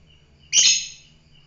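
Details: Single loud, harsh, buzzy screech from a fighter lovebird, lasting about half a second and fading off, with a faint steady high tone in the background.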